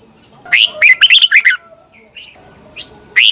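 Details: Red-whiskered bulbul morning training song for stimulating other bulbuls: a quick phrase of six slurred, whistled notes, then a few soft chirps, and the start of another note at the end.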